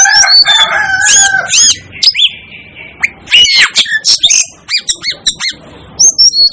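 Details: Dense chatter of an Asian glossy starling, the so-called 'devil' bird: rapid clipped metallic chirps, squeaks and brief whistles tumbling one after another, quieter toward the end.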